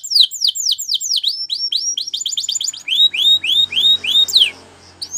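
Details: Spanish Timbrado canary, song meant to train canaries: a quick series of steep downward-swept whistled notes that speeds into a rapid chatter, then slower arching notes, with a faint low hum.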